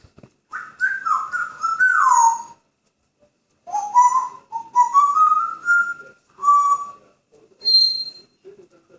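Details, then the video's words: Happy pet grey parrot whistling indoors: a run of gliding, wavering whistles, one long phrase climbing steadily upward, then shorter steady notes with brief pauses. "Graupapagei "Paco" pfeift, macht Geräusche und sagt "Hallo" // "Paco" whistling, saying "Hello""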